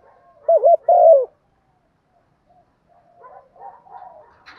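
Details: A spotted dove used as a decoy coos in the morning to call wild doves: quick wavering notes run into a longer falling coo, then silence and soft distant chirping.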